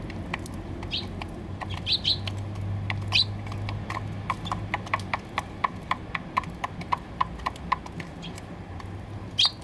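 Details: Eurasian tree sparrows at a balcony box on 28 November 2020. Brief high chirps come in small bunches near the start, around the third second and at the end, among many dry tapping clicks and a low hum.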